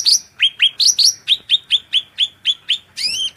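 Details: Cucak rante singing shrilly in a training recording for songbirds: a fast run of about a dozen sharp, high, downslurred whistled notes, evenly spaced, ending in a buzzier, rising then falling phrase.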